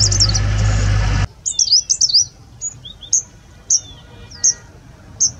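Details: A single Grey-sided bush warbler (Cettia brunnifrons) singing unusually late in the season, in mid-October in India: very high, thin, squeaky notes in a quick phrase, then single chips about a second apart, after a burst of loud rumbling noise.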